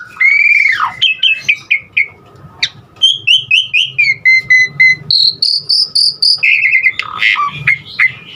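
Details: Varied Asian pied starling song used to prompt other starlings to sing, opening with a long downslurred whistle, then repeated chirp runs, a steady high whistled phrase and squeaky harsh notes, delivered in quick bursts of about four per second.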